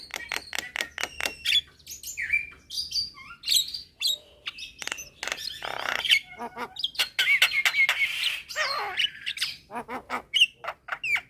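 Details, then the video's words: Several Javan mynas answering a young bird's call at midday: fast overlapping clicks, sharp whistles and buzzy squawks in an unbroken busy chorus. "Kicauan Jalak Kebo Gacor Siang Hari - Jalak Kebo Muda Memanggil Teman Bikin Semua Jalak Nyaut"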